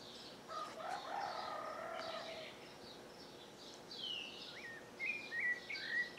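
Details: Rufous-bellied thrush singing at sunrise from the roof ridge of a farmhouse in the northeastern Brazilian sertão. Clear whistled phrases come in the last two seconds, after lower warbled notes. Steady high insect-like chirping fills the background.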